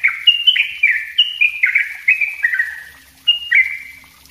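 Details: Yellow-vented bulbul singing the dense, rapid style called ropel rapat, a master recording used as a lure: bubbly, slurred phrases that step downward, delivered in a quick chattering run with a short pause.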